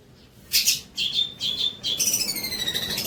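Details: Long-tailed shrike song for training young birds: a loud scratchy burst, several clear level whistled notes, then a sweeping run of descending whistles over fast buzzy chatter.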